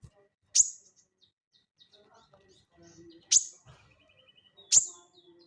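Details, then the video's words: Crested jay in lively ngeleper calling style, used as tutoring audio for cage birds: three sharp, explosive high clicks about one to two seconds apart, with faint low murmurs and scattered soft chirps between them. "SOGON GACOR NGELEPER UNTUK PANCINGAN BUNYI ATAU MASTERAN"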